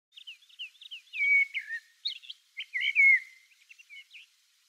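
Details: Common blackbird, a passage migrant, recorded on Okinawa Main Island and Ishigaki Island. Its fluty whistled phrases slide downward and mix with squeaky, thin twitters. Two loud phrases stand out in a quiet setting.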